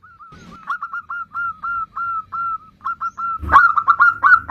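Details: Zebra dove, a local perkutut, singing actively: a run of short, hooked, clear notes repeated about four times a second, with a sharp knock and a quicker, louder burst of notes near the end.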